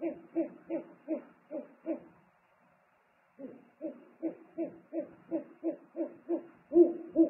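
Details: Owls calling back and forth at the nest while the father delivers food, 3 March 2019: six quick low hoots, a two-second pause, then another faster run ending in two louder notes.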